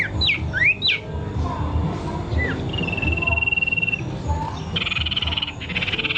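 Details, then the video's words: Several birds sing: quick whistled up-and-down sweeps, a long steady high whistle, then a buzzy trill, over constant low rumbling noise. "Birds good singing"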